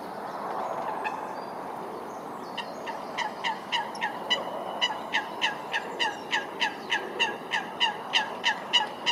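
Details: Eurasian coots fighting at Wilgenbos, Almere; after about three seconds of hissing background noise, a fast, steady series of short, sharp, hard calls begins, about three per second, each clipped and nasal-sounding, continuing to the end.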